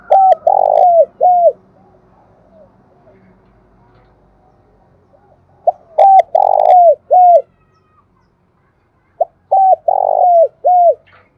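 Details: Spotted dove in Đồng Nai forest, Vietnam, repeating its cooing phrase three times about four seconds apart, each a deep rolling middle coo between short notes, with brief faint clicks near the second phrase.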